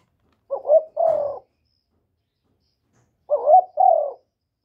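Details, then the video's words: Spotted dove cooing to rouse wild doves: two separate phrases, each a wavering rising note then a fuller falling coo, with a long silent pause between them. "Chim Cu Gáy GỌI+THÚC+GÙ bài bản giúp bổi nhanh nổi, tiếng chim cu gáy việt hay"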